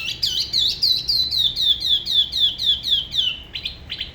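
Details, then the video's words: Solo song of a spot-throated babbler from Da Lat, Vietnam, La Ba river, its singing style unlike other regions: a loud, rapid run of sharp down-slurred high notes, about four per second, then two separate chips. "Tiểu mi La Bá hót solo/ Spot-throated Babbler the best solo La Ba river"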